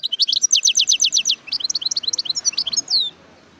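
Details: A wild European goldfinch sings a quick, tinkling run of high twittering notes, first a rapid repeated series, then varied liquid chirps ending in a drawn-out buzzy note.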